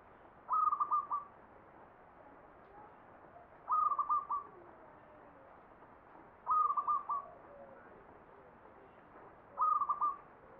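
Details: Zebra dove, perkutut, singing in the ngepat style of the Mataram Jogja tradition: a short stuttering phrase of rapid cooing notes, repeated about every three seconds over a quiet background.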